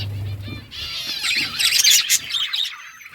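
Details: Pet budgerigars, Australian parrots, in a rapid run of warbling, wavy chirps and sharp squeaks, rising to a busy chatter in the middle, with a low hum at the start.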